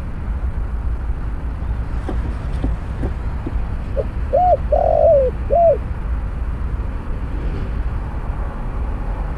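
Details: Spotted dove calling at a snare-cage trapping site with a decoy bird present: a short run of three or four mellow arched coos with a longer middle note, after a few faint clicks, against a low background hum.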